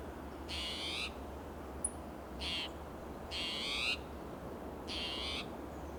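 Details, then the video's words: Agitated spotted towhee in oak and Monterey pine woodland of Del Monte Forest, California, on a June morning, showing territorial behaviour; four rasping, buzzy calls of varying length at irregular gaps, one brief high chip between them. "Agitated Spotted Towhee Sounds Alarm"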